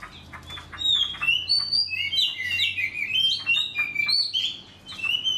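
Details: Black-bellied magpie giving a rapid sequence of sliding whistled notes and short chirps, loud and bright, with a soft low background hum.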